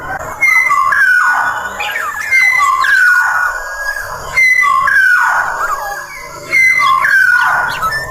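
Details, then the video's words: Black-naped oriole of the Sumbawa type in full, active song: fluty whistled phrases sliding down, each with a bright upper note, repeated about every two seconds over a faint background hiss. "burung kepodeng sumbawa gacor!!"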